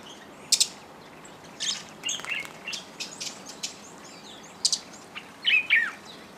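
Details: Shrill high squeaks and chattering shrieks from Fischer's lovebirds and hybrids with yellow-collared lovebirds at a feeder beside Lake Elementaita in Kenya, coming in scattered bursts with several overlapping birds.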